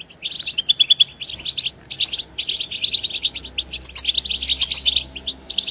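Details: European goldfinches twittering together, used to spur silent goldfinches into song: high trilled and tinkling phrases with short whistled slurs, brief pauses near one and two seconds, then continuous lively chatter.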